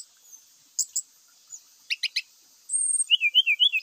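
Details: Brown-chested jungle flycatcher whistling to provoke other males to fight: sparse paired ticks, a trio of quick buzzy chips, then a thin high whistle running into a rapid warbling, wavering phrase.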